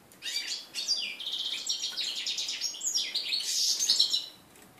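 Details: First song after the 2013 moult of a red-breasted flycatcher x canary mule, recorded 11 January 2014: continuous high warble mixing fast buzzy trills and sweet whistled notes, growing louder toward the end.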